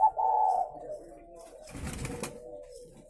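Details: Captive spotted doves at a breeding facility in Ba Vì district near Hanoi, Vietnam: a short mellow coo opens, followed by a soft, lower cooing line and a brief burst of rustling noise.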